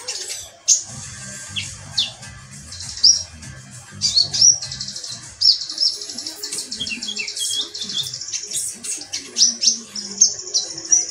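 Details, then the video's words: Several metallic pygmy sunbirds calling together: very high, sharp, squeaky chirps and rapid metallic trills overlapping almost continuously, with low murmuring in the background. "konin ombyokan metalik"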